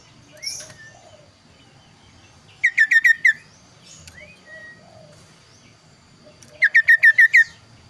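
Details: Kaso-kaso bird giving its clear, varied song: two bursts of five quick, bright whistled notes, each slurring downward, about four seconds apart, with a few softer chirps between.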